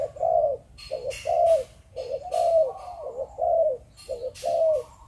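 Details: Spotted dove bred from Malaysian stock cooing in the 'Chụp Chụp Ô' manner: regular paired phrases, a brief note then a sustained falling coo, about one phrase a second, with rattling noise bursts between.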